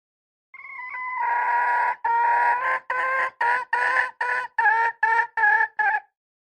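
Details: Red junglefowl hen calling: a long drawn nasal note followed by a run of about nine short, loud, harsh clucking notes, slightly irregular, roughly three per second, with no other sounds.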